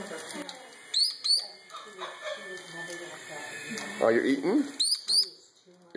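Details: A very young Meyer's parrot beeps in high, quick rising chirps, twice in a row and then again a few seconds later, while its sibling eats and throws food and a woman talks nearby.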